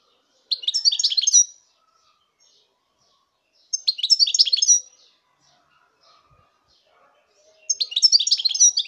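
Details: Goldfinch singing in three short bursts of fast, jangling twitter, each about a second long and spaced roughly three seconds apart, with quiet pauses between.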